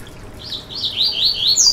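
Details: Short burst of Yellow-bellied seedeater (coleiro baiano) song for stimulating a caged bird: slurred whistles running together and rising toward a sharp high note at the end.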